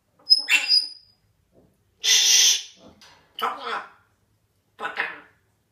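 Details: Grey parrot (African grey) says "ferme ta gueule" (shut up) at the cat in a harsh, nasal voice, in four bursts with a sharp whistle at the start.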